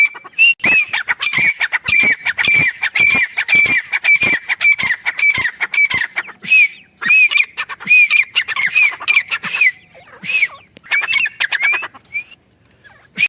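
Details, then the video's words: A female grey francolin (teetar) at a mango farm near a home gives loud, shrill, ringing notes in a fast run, nearly two per second, harsh and clicky, with brief pauses between bursts; people laugh nearby. "Teetar awaz | teetar voice | Grey francolin teetar sound | female teetar awaz"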